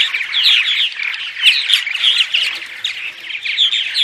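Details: Morning vocalizations of purple martins used to draw martins in: a continuous colony chatter of liquid chirps, croaks and short rising whistles layered over one another, bright and busy throughout.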